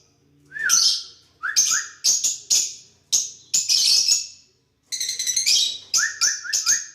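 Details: Lovebirds interacting with each other mix short rising whistles with many harsh, rasping screeches and a rapid chattering burst, the whistles sometimes coming in quick threes.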